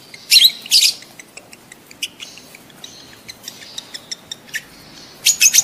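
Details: Lovebird mating call from a bird in breeding mood: two loud shrill chirp bursts at the start, scattered short high ticks in between, and a final cluster of sharp squeaky notes.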